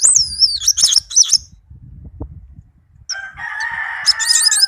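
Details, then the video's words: Tame caged orange-headed thrush singing, its song used as a lure to stir silent birds into singing: clear high whistled phrases sliding and looping, then a long buzzy rasping stretch with more high whistles over it. "Anis merah kicau merdu, teler abis"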